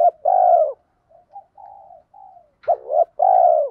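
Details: Spotted dove lure bird in the 'thổ pha' voice, fast 'thúc gù' cooing like a sewing machine to make wild birds coo back: loud two-part throaty coos, a soft fragmented murmur between, then another double coo.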